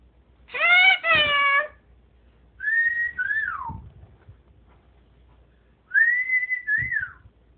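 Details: Female pet Moluccan cockatoo chattering to her owner indoors: a doubled harmonic squawk, then a pause, then two pairs of whistled, speech-like phrases, each rising and then falling away.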